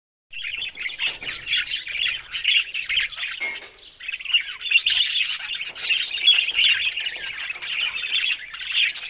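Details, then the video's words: Budgerigars chattering together: a dense, continuous warble of overlapping high chirps and squawks, briefly dipping in volume near the fourth second before the busy chorus resumes. "Talking Budgies parrot"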